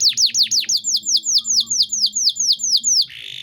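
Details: Canary song: a fast, even trill of about twenty-two identical sweeping downward notes, each a bright whistled chip, ending abruptly in a brief buzzy tone.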